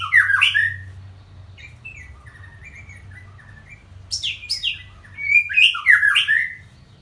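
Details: White-rumped shama singing in the Panji Semerang style: loud rich warbled phrases, softer descending whistled notes, then a renewed burst of varied, rapid, fluty and chattering notes.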